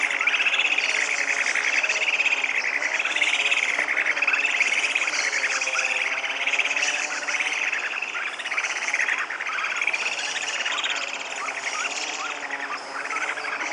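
Purus jacamars in a busy, overlapping chorus of shrill, arched whistled notes, tumbling on without pause over a steady high insect hiss.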